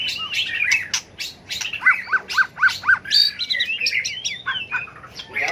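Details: Fighting song of a White-rumped shama prepared for singing contests: clicks and whistles, a steady series of five repeated chipping notes about twice a second, then sweeping high whistled phrases.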